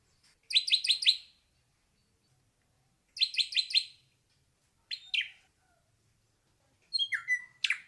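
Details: Ashy drongo song in separate bursts: two runs of four fast downslurred chirps with pauses between, then a sharp doubled note, and finally thin high notes, a short slurred whistle and a sharp closing note; background silent.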